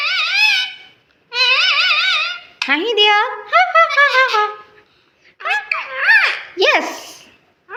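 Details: Talking parrot, possibly an Alexandrine or Indian ringneck, chattering in short bursts of high, warbling, speech-like syllables with sliding pitch, separated by brief pauses.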